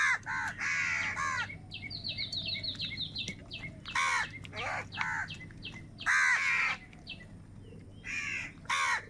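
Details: Harsh caws from crows fighting for food, broken by a rapid series of short, higher-pitched clipped notes early on. After that, loud rasping caws return at irregular intervals.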